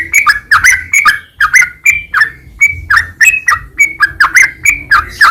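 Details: Sooty-headed bulbul singing on a training recording for caged birds: short liquid, slurred whistled notes bending between low and high pitch, given in a quick, uneven series of about two notes per second with no other clear sounds.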